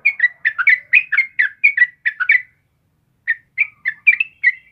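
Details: Yellow-vented bulbul singing to tutor caged birds: a fast burst of bubbly chirped notes, then nearly a second of silence, then a sparser string of whistled chirps resumes.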